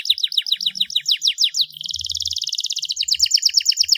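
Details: Starblue canary, a champion singer, in full song: quick falling high notes, then a rapid buzzy roll at a steady pitch, then back to faster falling notes, with soft low knocks beneath.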